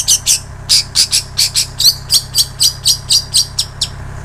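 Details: Long-tailed shrike song with plain prinia and canary imitations, used to train songbirds: a steady series of harsh, high, scratchy notes repeated about four times per second, with a faint hum underneath.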